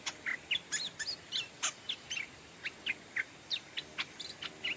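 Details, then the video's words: Decoy Stripe-throated Bulbul calling wild birds: about four crisp chirps a second, some clipped and sharp and others short downslurred whistles, at an uneven pace against faint background noise. "เสียงนกต่อดอกแตงEp.87 นกต่อเจ้านำโชคเรียกนกแก่ป่า (Stripe-throated Bulbul)"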